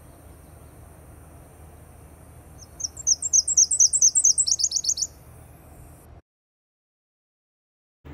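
A Nashville Warbler sings a high two-part song, a string of quick, slightly rising notes running into a faster trill over about two seconds, then silence.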